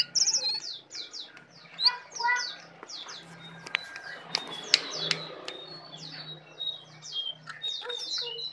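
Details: Tame brown prinia singing steadily in a full isian style: quick high chirps and short downslurred notes in loose bursts, with a low steady hum underneath and a few sharp clicks.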